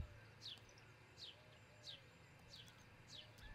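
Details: From a nest cam in Charlo, Montana, before 6 a.m. on 22 June 2018, an osprey gives five bright, downslurred whistled calls spaced under a second apart, low hum throughout.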